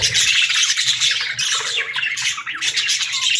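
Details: Budgerigars in a group chirping continuously, dense overlapping warbled and squawky chatter, high and busy with no pauses.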